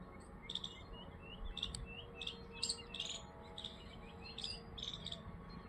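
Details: Birds chirping in short, bright bursts, several high notes repeated roughly every half second, with soft twittering between them and a low background hum.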